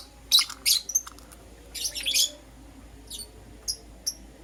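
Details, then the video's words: Morning chirping from a Green Personata and a Yellow Pastel Pied lovebird: two loud harsh chirps, a buzzy rasping burst, then thin spaced high chirps. "Lovebird Chirping Sounds - Green Personata & Yellow Pastel Pied"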